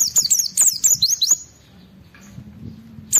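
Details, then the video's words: Oriental white-eye (pleci) singing to draw other white-eyes into song, a fast chattering run of high falling whistled notes lasting about a second and a half, then quiet before another note begins. "Suara Burung Pleci Gacor Cari Lawan Bikin Semua Pleci respon gacor buka paruh"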